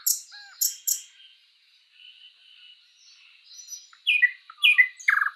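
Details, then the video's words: Sprosser in a spring forest giving a few sharp high notes, then quiet faint warbling, before loud downslurred chirps and a short clicking burst near the end. "Bird sounds Nightingale bird singing"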